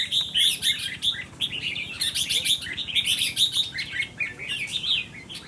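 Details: Red-whiskered bulbul kept as a cage bird, singing a busy run of bright, chirpy, warbled phrases in quick bursts, with the notes clustered high and rising and falling without pause through the whole stretch.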